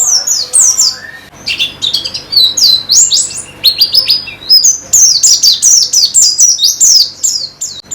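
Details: White-eye therapy recording meant to spur steady song: a loud, unbroken stream of very high, squeaky, rapidly repeated chirps and trills, thickening after the first second.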